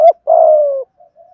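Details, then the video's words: Male and female spotted doves in the 'thúc gù giọng thổ' cooing style meant to excite wild birds: a clipped opening note followed by one drawn-out, slightly falling coo and two faint trailing murmurs. "chim cu gáy thúc gù giọng thổ"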